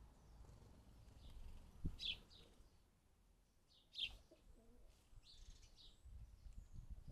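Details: Fledgling house sparrows bathing in a garden bird bath. Scattered bright chirps stand out near the second and fourth seconds, with softer chirps after them. Sharp knocks and low background rumble run underneath.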